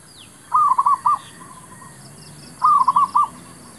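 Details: Zebra dove used to call in wild birds for trapping: two clear phrases of five rolling coo notes about two seconds apart, with faint high-pitched chirps of other birds in the background.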